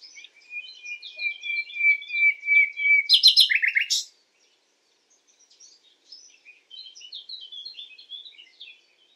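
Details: Common nightingale in night song: a long, steady, pure whistle held about three seconds, breaking into a burst of rapid loud stuttering notes, then a pause and soft rambling high twitters.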